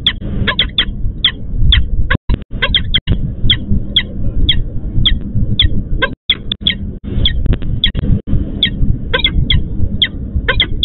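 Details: Persistent calling by a female peregrine falcon at a Łódź, Poland nest site as she waits for the male to take over: insistent harsh notes, singly and in doublets, nearly continuous over a rumbling backdrop.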